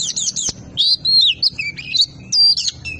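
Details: Oriental magpie-robin (kacer) in energetic 'ngobra patah' song, kept for training other songbirds: varied loud whistled and warbled phrases, rising and falling notes in short broken bursts with brief gaps, over a low background hum.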